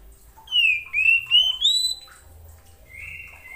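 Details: White-rumped shama calling to another shama: a series of loud clear whistles gliding and rising, followed by a steady high whistle; faint low rumble beneath.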